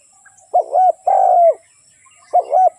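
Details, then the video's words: One full spotted dove phrase, a hooked double coo and then a longer falling croo, followed by the start of the next phrase. "เสียงนกเขาใหญ่/suara burung tekukur"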